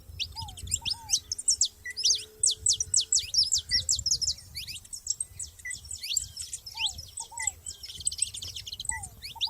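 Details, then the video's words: ['Saffron finches together in nature: dense, overlapping high chirps and quick downslurred notes pour out almost continuously, with a lower curved whistle repeated now and then and a soft low rumble underneath.'] "canário da terra junto na natureza"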